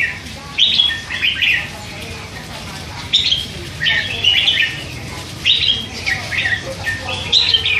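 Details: Red-whiskered bulbul chick, hand-fed, aged three months, chattering with hints of song: clusters of two or three quick, liquid warbled notes every couple of seconds over steady background hiss.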